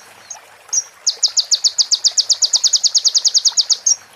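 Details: Sunbird (konin) song for training caged birds: two thin whistled slurs, then nearly three seconds of fast, even, high-pitched repeated chips closing with another whistle.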